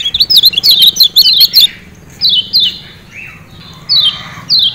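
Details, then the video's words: Lemon-bellied white-eye, the kecial kuning of Lombok, Indonesia, in 'ciak ciak' song used as a lure for caged birds. Fast, bright twittering in the first second and a half, then spaced pairs of high downward-sliding chirps. "Ciak Ciak Kecial Kuning Joss Ampuh Bikin Kecial Rajin Bunyi"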